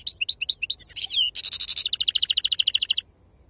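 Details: European goldfinch singing in the authentic wild 'khalwi' style, called sarfati: quick high chirps, a sliding whistle, then a dense buzzy burst and a fast even trill of bright repeated notes, background otherwise quiet.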